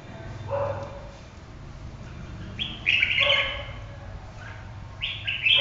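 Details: Red-whiskered bulbul sings a soft low phrase, then a loud rich warble of slurred whistles, and finally a sharp bright ending phrase over a low-humming background.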